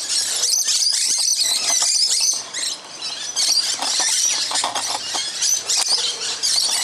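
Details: Musk lorikeets, about twenty, feeding noisily in a tree out the front on Christmas morning. Dense, shrill, high screeching chatter runs almost continuously, with brief dips in volume. Faint low background hum.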